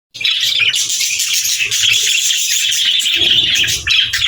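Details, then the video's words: Budgies chirping cheerfully during play: a dense, continuous chatter of high warbles, squeaks and rapid twittering from several birds, with short low thumps and rustles near the end. "Budgies Chirping Sounds"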